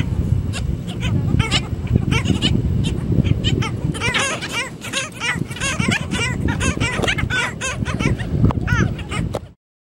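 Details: A colony of black skimmers gives a dense chorus of short, nasal, barking yaps that overlap and tumble over each other, with a low rumble of surf or wind beneath.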